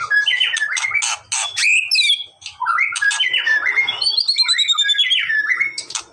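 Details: Song of a white-rumped shama, used to prompt a reluctant bird to sing back. Loud, varied whistles mix with harsh chattering notes and descending slurred phrases, broken by two short pauses.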